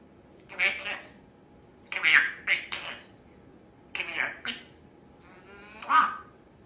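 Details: Female Congo African grey parrot, a chatty pet indoors, uttering short bursts of speech-like chatter with clicky, whistled syllables, in four groups spread over several seconds in a quiet room.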